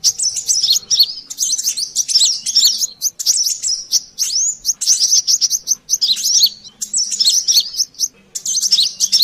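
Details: Brown-throated sunbird, called kolibri klapa or sogon, used as a bird lure: near-continuous, excited, high-pitched chattering of quick chirps and squeaky trills with only a few short gaps.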